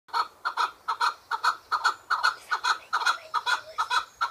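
A chukar partridge gives harsh, clucking chuk notes in quick paired bursts, about two a second, building into a steady rhythmic series.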